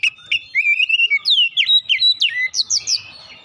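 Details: Lure song of an Oriental magpie-robin: a long steady whistle followed by quick sharp downslurred and upslurred notes, bright and rapid, about three per second.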